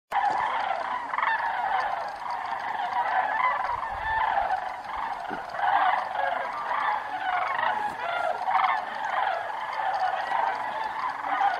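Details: A large flock of Sandhill Cranes catching a thermal on their way north for the summer at Bandelier National Monument calls in a dense, continuous chorus of rolling, trumpeting rattles that overlap without pause.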